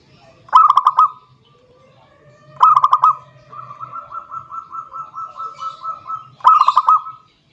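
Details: Zebra dove singing to call a rival: three quick rolling cooing phrases, with a long run of softer evenly spaced coo notes between the second and third.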